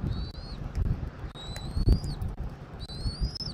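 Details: Eagle at a nest in Southwest Florida, nest camera, 13 January 2024 at 14:17; three drawn-out high whistles, each rising slightly, about every 1.3 seconds, with low background rumble.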